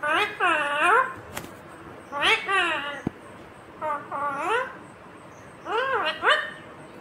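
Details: Talking Indian ringneck parakeet mimicking words, including "mummy" and a request for roti; four distinct speech-like phrases with sweeping, rising and falling tones, separated by short pauses, with faint clicks in a small indoor space.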